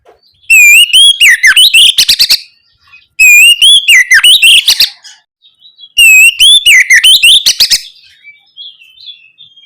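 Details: Oriental magpie-robin lure song to make young birds answer quickly: three loud phrases spaced about every three seconds, each a clear rising whistle followed by a fast volley of sharp notes.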